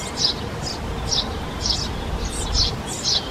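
Eurasian tree sparrow giving short, bright chirps, about seven in three seconds at an uneven pace, over a low rumble of background noise.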